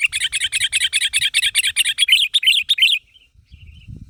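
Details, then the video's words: Lively sooty-headed bulbul calling to draw other birds into answering: a fast run of about a dozen bright chattering notes over three seconds, then a few soft faint notes and a low rumble at the end. "Suara Burung Kutilang Gacor Memanggil Temannya Agar Bunyi"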